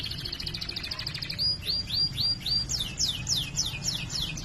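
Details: Canary singing 'ngerol' rolling song with 'cuit cuit nembak' notes, a master recording: a rolling series of high chirps, then clear downward-curving whistled notes, then fast repeated sweeping trills, over low background hum.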